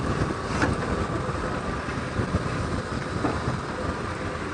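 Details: Steady rumbling vehicle engine with gusts of wind buffeting the microphone and a few soft knocks, with no animal calls heard.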